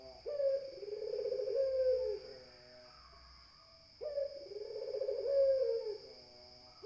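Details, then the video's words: Low, mellow cooing of a spotted dove (puter): two drawn-out phrases with a slight lilt near the end and the start of a third, evenly spaced, faint steady hum in the background. "SUARA PUTER"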